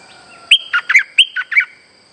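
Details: Trapping lure song of a streak-eared bulbul, a single rapid phrase of five loud, clear notes, each sliding sharply downward, delivered within about a second over a faint steady high-pitched tone.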